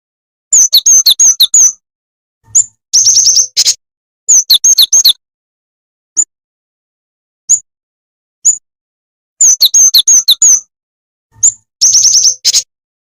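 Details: Jing Jing tetep bird call used as a trapping lure: shrill high chirps delivered in rapid trilled clusters, alternating with widely spaced single sharp notes, the whole pattern repeating twice.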